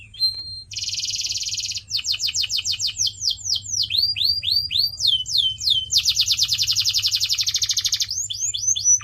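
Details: Training song of a canary: a high whistle, then a buzzy roll, long chains of quick descending and hooked notes, another dense trill and closing sweeps, delivered almost without pause.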